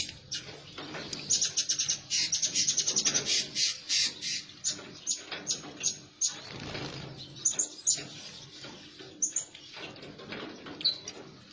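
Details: Blue-crowned hanging parrot calls used as a lure to attract birds; rapid series of thin, high, sharp notes in quick bursts, with rustling and fluttering noise underneath.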